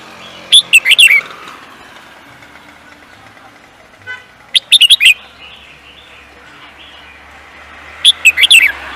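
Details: Bird raised for singing races delivers three rapid, shrill chirping phrases spaced about three and a half seconds apart, with a brief soft murmur between the first two.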